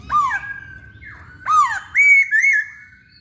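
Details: Masked laughingthrush (Poksay Hongkong) singing actively: loud clear whistles, some swooping down then levelling off, others held flat, in four bursts over three seconds.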